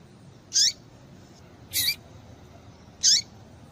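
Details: Female double-collared seedeater calls, used to make males sing: three high notes about a second and a quarter apart, the outer two sliding downward and the middle one harsher and buzzier.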